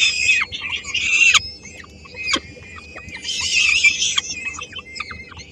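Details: Peregrine falcons at a nest in Helmond, Netherlands, 13 May 2016. The female brings a small bite for her three-week-old young. Rasping, wailing screeches come in two loud bursts separated by a quieter stretch of thin calls.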